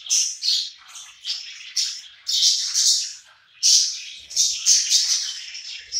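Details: A flock of pet budgerigars feeding together keeps up rapid, bright chirping and twittering, pulsing in short overlapping bursts, with a few soft low knocks near the end.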